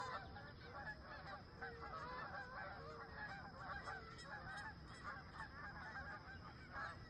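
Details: Wild geese at sunrise near a campsite, a large flock giving dense, overlapping nasal honks that run almost without pause, with a steady low rumble of wind or distant noise beneath.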